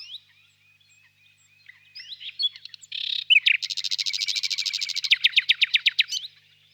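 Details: Nightingale song phrase opening with soft thin whistles, breaking into a dense buzzy rattle, then ending in a string of separate loud clipped notes.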